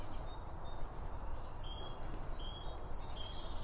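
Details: Birds around a feeder while eating, recorded binaurally next to the feed: high thin whistles mixed with a few sharp, very high twittering chirps, over steady low-pitched background noise.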